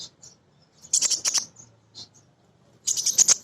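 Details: Female sunbird, called kolibri ninja, a lively singer whose song is used as a lure to get other sunbirds singing: high, thin chirps followed by two dense bursts of rapid, ringing notes separated by a short pause.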